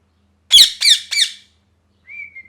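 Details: Pet parrot in an angry mood, molting, screams three rapid harsh squawks, the last softer, followed by a thin steady whistle in a quiet indoor space.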